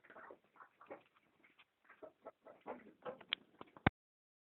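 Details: Country chickens with soft, scattered clucks that grow louder toward the end, followed by two sharp clicks or knocks.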